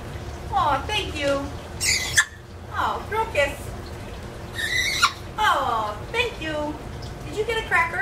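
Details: Talking parrot from an indoor aviary where the birds fly free, caged for safety when taken out, chatting about crackers; a run of voiced, speech-like phrases with falling pitch sweeps and sharp bursts, interspersed with short pauses.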